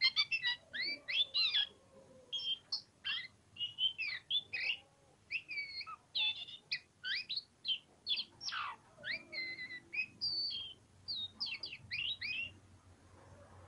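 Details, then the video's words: Oriental magpie-robin, kacer poci form, singing ngobra style: a long, almost unbroken stream of sharp whistles, trills and slurred notes, fast and varied, repeated phrase after phrase with only tiny gaps. "KACER POCIKU NGOBRA NGOBRA"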